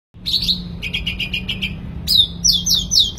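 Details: Sooty-headed bulbul singing actively: rapid bright chirps and short twittering trills, repeated quickly in bursts over a low steady hum.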